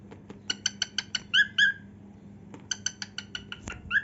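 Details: Cockatiel song during a dance with heart-shaped wing display: evenly spaced bright chirps, two longer whistled notes, a pause, then another chirp series ending in a clipped whistle, with a low hum present.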